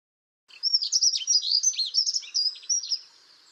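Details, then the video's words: Dunlin on the seafront promenade at Abruñeiras, Noia, on the Ría de Noia; a burst of high, thin twittering chirps, rapid and uneven, with short buzzy and whistled notes run together for about two and a half seconds, then quiet. "Correlimos común o Pilro común (Calidris alpina)"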